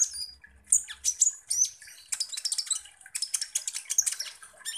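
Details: Kolibri ninja, Van Hasselt's sunbird, song played as a lure to stir other birds into singing: rapid high-pitched twittering with sharp upslurred chips and squeaky notes, broken by short gaps, then a dense burst of chattering.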